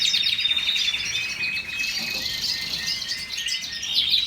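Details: Canary singing rapid high trills that switch to a slower chain of repeated chirps, then a bright rolling warble at the end, with background hiss.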